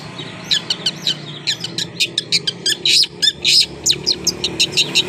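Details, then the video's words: Long-tailed shrike, tail spread, giving quick rasping chirps at roughly two per second, some longer buzzy notes around the middle, over a low background hum. "BURUNG CENDET BUNYI BUKA EKOR"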